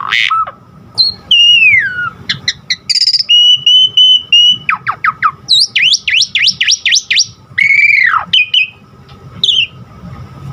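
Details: Long varied Asian pied starling song for training caged birds: falling whistled slurs, a steady row of flat notes, rapid sweeping rising whistles repeated about seven times, and a loud descending whistle.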